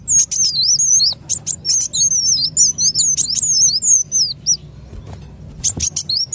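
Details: Lure call of a sunbird for catching birds: fast, jittery high twitter of zigzagging notes about four per second, a short lull, then more chirps.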